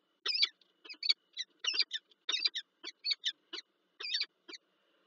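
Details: Peregrine falcons, a pair meeting on a January 2024 morning at PGE Lublin in Poland, give a rapid series of sharp, rasping kek-like notes, roughly ninety per minute, over a faint steady background hum.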